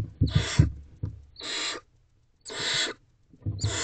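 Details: Barn owl nestlings in a nest box at 1:47 am, pushing to get beside their mother. Four rough hissed screeches roughly a second apart, with thuds and shuffling underneath.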